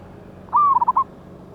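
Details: Single phrase from a big-voiced wild local zebra dove, 11/8/24, used as a lure: a long, level, whistled coo leading into four quick, clipped coo notes.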